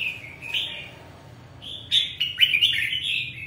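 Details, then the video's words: Red-whiskered bulbul: a soft opening note, then a lively burst of rapid chirping, warbled phrases. "chào mào hót hay"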